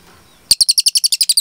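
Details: Small minivet from a masteran recording for cage birds: after brief silence, a brisk, even series of piercing, high double-toned chirps starts abruptly and carries on steadily.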